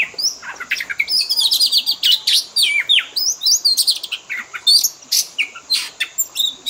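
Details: Kacer (Oriental magpie-robin) isian, a lure for training pet birds: lively stream of sharp chips, short whistles and downward slurs, delivered several notes per second without a break.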